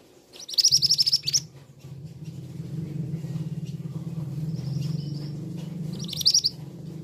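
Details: Shrill bursts of rapid high notes from a male scarlet minivet, one near the start and one near the end, heard over a steady low droning hum.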